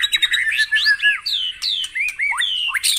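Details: Morning White-rumped shama song used to get caged birds singing: a sequence of clear, loud whistles, each a rising or falling slur, delivered as separate phrases with brief pauses.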